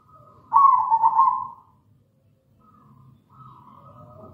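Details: Actively singing local zebra dove, used as a lure to set other doves cooing. A strong, trilled, mid-pitched coo of quick pulses runs for about a second, followed by quieter soft coos in the background.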